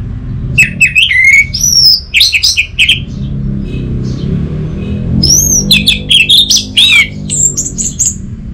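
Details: Varied song of an orange-headed thrush, used as therapy to get a quiet thrush singing, northern Bali. Rising and falling clear whistles alternate with short scratchy notes in two loose bouts, over a faint low rumble.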